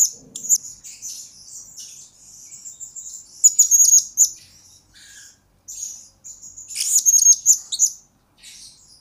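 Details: Singing blue-crowned hanging parrot, used as a lure and tutor recording: thin, high, sibilant notes, softer at first, then louder squeaky chirp clusters around the middle and near the end.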